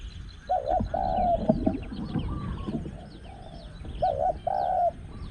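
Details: Spotted Dove coos at a luring spot where a caged decoy calls to a wild small-voiced bird. Two mellow coo phrases, one early and one late, are separated by scratchy chatter, with faint chirps from other birds overhead.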